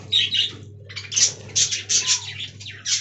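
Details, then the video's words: Budgerigars in an aviary colony give dense, scratchy chattering in quick bursts, with short gaps between squawky phrases and a low steady hum underneath. "Budgie Talking Compilation"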